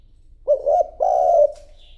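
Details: Decoy spotted dove cooing to lure wild doves: a single low, mellow two-part coo phrase, a short note followed by a longer, slightly wavering one, in a quiet setting.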